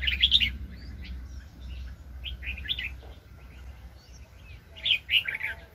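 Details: Red-whiskered bulbul in the wild during a 2020 trapping session, delivering short liquid warbled phrases spaced a couple of seconds apart against steady low background rumble.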